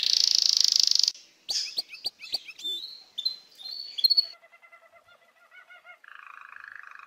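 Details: Belgian roller canary singing a recording meant to teach young canaries; opens with a loud, steady high trill, then quick chips and sweeping notes, a row of soft pulsed low notes, and a closing buzzy rolling tour.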